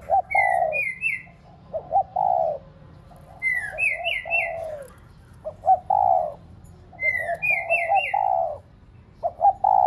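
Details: Spotted dove lure bird cooing to excite caged doves: mellow short-and-long coo phrases alternating with a loud repeated high whistled trill from another bird about every three seconds.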